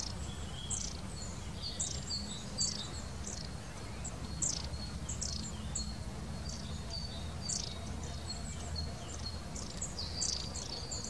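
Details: Long-tailed tit recorded in 2019, giving thin, very high-pitched calls: short sharp notes repeated irregularly every second or so throughout, over a constant low rumble of background noise.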